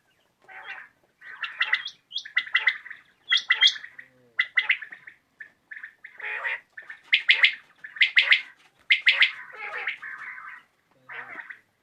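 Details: Common quail (batair) calling in the evening, recorded for quail hunting: clustered sharp, bright notes repeated at irregular intervals, overlapping in places, with no other clear sounds.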